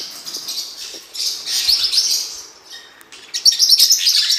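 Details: Soft start, then blue-winged parrotlet chatter swells into high buzzy twitters, fades briefly, and returns as a rapid string of sharp squeaky chirps.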